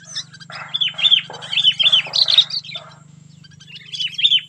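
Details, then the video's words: Sooty-headed bulbul, called very fierce, sings in cengkram style: clear, sharply falling notes repeated in a quick run, a pause, then a few more, over a constant low hum. "poin cengkram burung kutilang super ganas"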